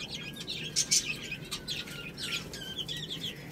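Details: Little chicks eating rice, with many shrill, rapid, overlapping peeps and occasional clicking pecks against a soft background hiss.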